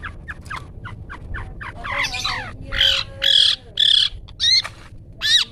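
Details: Long-tailed shrike song in "toet toet" style, recorded for training songbirds to copy; quick ticking notes speed into harsh grating bursts, then several loud rasping calls spaced about half a second apart.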